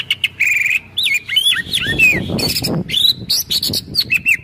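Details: Shama (white-rumped) in kretekan style to provoke other birds, 24 January 2023: looping, warbled whistles and slurred notes rising and falling, with short sharp bursts and a low rumbling background.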